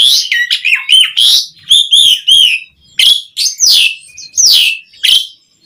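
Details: Asian pied starling song intended to set other starlings singing: loud phrases of buzzy whistles and rising squeaky notes, delivered in spaced bursts about once a second.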